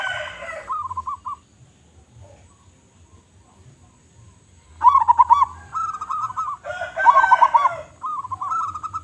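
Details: Local zebra dove calling loudly and often: a rolled coo, a long quiet stretch, then alternating bubbling trills and smooth rolling coos in quick succession.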